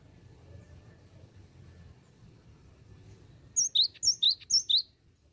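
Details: Cinereous tit singing "bocor" style for use as a lure. After several seconds of low background rumble, five quick two-note phrases ring out, each a piercing high note followed by a lower slurred whistle.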